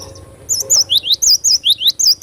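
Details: Cinereous tit singing vigorously: after a quiet half-second, a run of about eight high, sharp whistled notes alternating between two pitches, fast and clipped, over a faint low hum.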